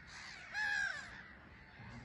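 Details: A black-headed gull from the island colony at RSPB Frampton Marsh gives one loud, drawn-out, rasping call lasting under half a second, standing out against faint background colony chatter and light wind.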